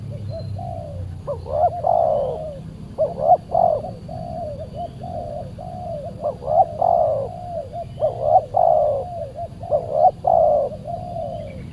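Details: Spotted dove, an aggressive wild bird responding to a decoy during trapping, giving steady runs of mellow coos with emphatic doubled notes, phrases following closely one after another over a low rumbling background.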